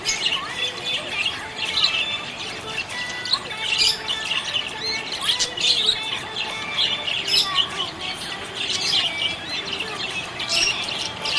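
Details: Chatty happy budgerigar producing a continuous stream of harsh squawky chirps, clicks and buzzy warbles over about eleven seconds, with faint lower whistles behind.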